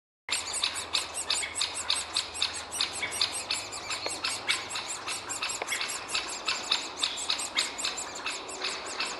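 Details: Great spotted woodpecker nestling and parent at the nest hole: a dense, continuous run of sharp, high, scratchy notes, about four per second without a break, over a faint low hum.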